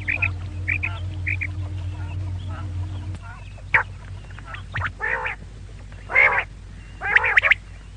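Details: A female quail gives quick paired high notes over a steady low hum that stops after three seconds, followed by louder, harsher broadband bursts.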